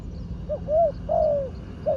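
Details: Trained spotted dove kept for ground decoying gives three or four drawn-out, husky coos, the middle ones longer and gently falling, over a low steady hum.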